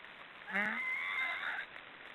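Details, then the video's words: Snoring black storks give a single drawn-out, hoarse, breathy call of about one second, a thin whistled tone running through its middle, against a soft hiss. "Black storks are snoring"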